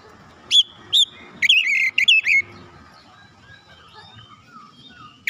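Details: White-rumped shama song played to spur other shamas into singing: a few loud whistled notes and a quick warbled phrase, followed by a long quiet stretch of faint twittering.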